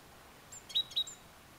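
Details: A great tit in the Tiétar Valley/Sierra de Gredos area gives two clear, level whistled notes about a quarter-second apart, with fainter higher touches, over quiet background hiss.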